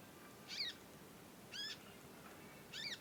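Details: Young conin in long nyecet chirping while learning to sing: three short, harmonic, arching chirps spaced about a second apart over soft hiss.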